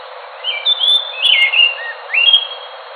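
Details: Enggano thrush song of fluid whistled notes, some sliding up and others dipping, given as three quick phrases in a three-second span; no other clear sounds.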